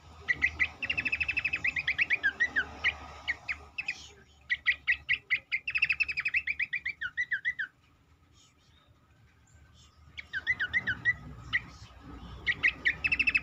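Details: Cingcoang lure song for stirring other birds to sing: long bursts of rapid chattering trills mixed with wavering whistles, a brief silent gap, then the rapid trilling resumes.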